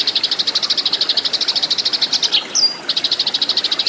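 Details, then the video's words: A Eurasian tree sparrow's fighting song, recorded to train cage birds: brisk, shrill chirping repeated very fast, a short pause with one thin sliding whistle, then the rapid chatter resumes. "MASTERAN BURUNG GEREJA TARUNG SUARA SUPER EFEKTIF GACOR KERAS JERNIH"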